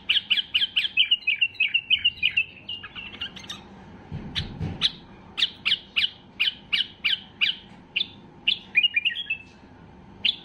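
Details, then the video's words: Excited Basra bulbul (white-eared bulbul) singing to force quiet bulbuls to sing: quick rolling series of chirps, then evenly spaced sharp notes roughly three per second, ending in a rapid flourish; a brief low thump midway. "اقوى تغريد بلبل بصراوي لفتح البلابل القافلة"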